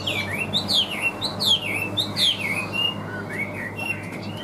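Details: Chinese hwamei, a bird offered for sale and said to sing well with an even voice, delivering loud whistled phrases that swoop up and down, each sliding note rising then falling, repeated in quick succession over a steady low hum.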